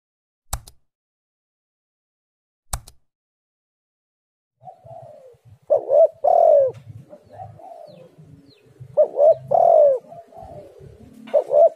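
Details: Spotted dove used as a lure to get other doves calling: after two sharp clicks and a silent gap, hoarse cooing phrases begin, short notes followed by a long falling coo, repeated twice over a low rumbling background.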